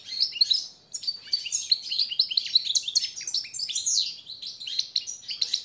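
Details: European goldfinch song used as a master training song for captive birds: a fast, continuous run of bright twittering and buzzy notes, tumbling chirps and short trills with barely a pause, over a quiet background.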